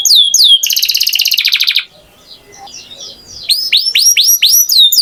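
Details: Canary in full song, starting with sliding whistles, then a rapid buzzy rattle, a short quiet gap, and a run of rising, curved whistled notes repeated several times a second.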